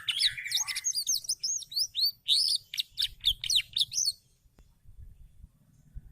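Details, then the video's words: Canary kept as a frequent singer, delivering fast, varied high twittering phrases of rapid chirps and slurred notes for about four seconds, then falling quiet with only faint low rumbling behind. "kenari gacor"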